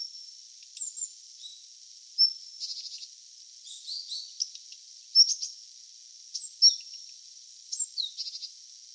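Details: Daurian redstart newly arrived in autumn, when it can call intensely, giving strained, squeezed-out high calls, thin whistles and short rasping bursts every second or two over a faint background hiss.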